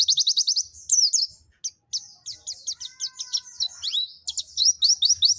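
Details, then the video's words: Dakun white-eye from Pacitan, nembak song with mantenan and zipper witwit: opens with a rapid even trill of high notes, then spaced twisting chirps and a final quick trill; faint low thumps in the background. "Pleci Dakun pacitan nembak mantenan&zipper witwit"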